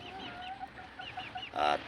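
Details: Red junglefowl kept by their owner give a quick series of short, repeated tonal notes, ending in a louder, harsher burst.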